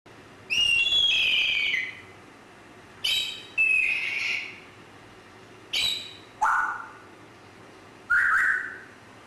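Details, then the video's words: Grey parrot giving a series of six loud, harsh, screechy calls, each dropping slightly in pitch with a rough, buzzy tone, spaced irregularly about one to two seconds apart over a quiet background. "GRAY PARROT"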